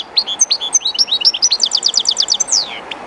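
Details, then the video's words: Kept European goldfinch by the Jerte River's current, a little shy in the unfamiliar place: a continuous fast sequence of sweet, high twittering notes turning into evenly repeated chirps and a drawn-out descending slur, gentle water hiss beneath. "JILGUERO CANTANDO EN EL RÍO/Goldfinch singing in the river/Chardonneret chantant dans la rivère"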